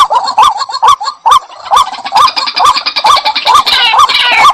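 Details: White-breasted waterhen repeating short rising notes, a little over two per second, punctuated by clicks, with a burst of harsher, higher chattering near the end.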